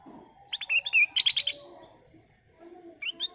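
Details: Lure song of a black-capped bulbul, meant to draw in other birds: a lively run of rapid high chirps and sharp whistles lasting about a second, a pause, then a brief two-note whistled phrase.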